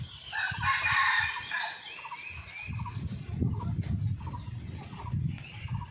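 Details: Hidden camera by wild red junglefowl on a lively morning after a storm. A loud crow comes first, followed by short clucks repeated about twice a second over a steady low rumble.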